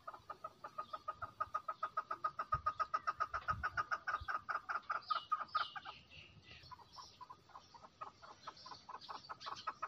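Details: Long, rapid rattle of short clucks from a female chukar, about four a second, with some bumps, then looser notes and higher squeals later.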